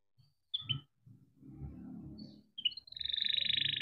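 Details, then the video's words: Canary giving chirps and a fast pulsed rolling trill at the end over a background of low rumbling noise. "Kenari gacor cuit cuit ngerol untuk pancingan kenari biar gacor"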